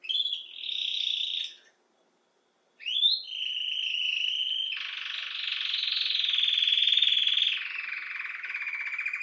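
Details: Belgian canary (canário-do-reino) song with a buzzy trill, a short pause, then a rising note leading into a steady rolling trill and a broad, deep churring roll that falls slightly in pitch.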